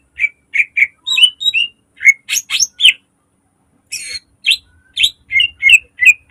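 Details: Green leafbird, a caged bird in good song, used as a lure and model for training other birds: rapid bursts of sharp chirps and short whistled notes, steady in rhythm, mostly high-pitched, with no other sounds.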